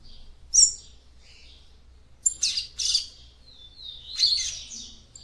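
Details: Female seedeater singing to warm up her male: an isolated sharp chirp, then a tight cluster of high, harsh chirps and a final run of buzzy notes, over faint low hum.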